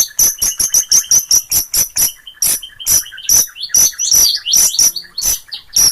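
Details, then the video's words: Long-tailed shrike singing gacor in Gunungkidul, Yogyakarta: a fast, almost trilled sequence of dry scratchy ticks with high thin whistles, speeding then slowing into spaced raspy notes. "Suara Burung Pentet Gacorrr"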